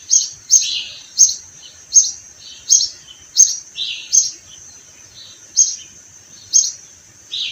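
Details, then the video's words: Sparrows in spring by flowering orange trees, uttering evenly spaced short bright chirps, some followed by a lower buzzy twitter, with a pause midway and a faint constant high tone in the background. "The sound of sparrows"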